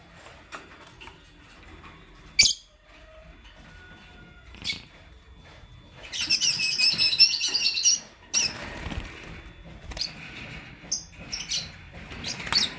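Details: Morning chirping from Lutino and Blue Opaline lovebirds. Scattered sharp high chirps lead into two seconds of dense, rapid, shrill chattering, then more spaced squeaky notes.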